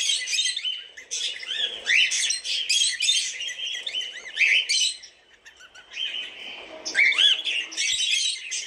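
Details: Multiple cockatiels chirping and squeaking in a thick, continuous chorus. It pauses briefly, then resumes with an arched whistle rising and falling over the renewed chatter.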